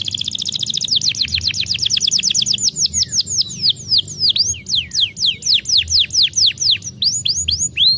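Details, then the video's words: Singing canary used to stimulate a silent canary to start singing again: a fast rolling trill of quick descending notes slows into separate loud whistled sweeps, repeated steadily about three per second, over a faint low hum. "pancing kenari diam dengan ini, cepat jadikan kenari bunyi lagi"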